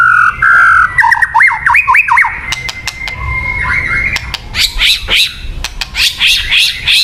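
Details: White-rumped shama, lure song for attracting birds; fluty whistles rising and falling, a sustained tone, then loud repeated high buzzy notes in quick series.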